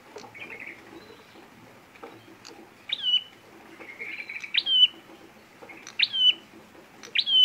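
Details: Red prinia (prenjak merah) fighting call used as a trapping lure. Soft buzzy trills at first, then four loud bursts from about three seconds on, each a sharp upward chirp running into a brief whistled tone, spaced roughly every one to one and a half seconds.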